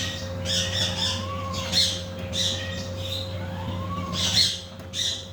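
A macaw gives harsh, raspy squawks in bursts every second or so, with a steady low mechanical hum underneath.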